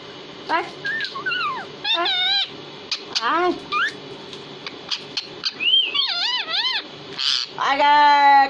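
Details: Talking pet parrot said to speak Hindi, producing a varied string of wavering, voice-like whistles and bent harmonic notes. A rising squeal and a buzzy burst come near the end, over a faint room hum.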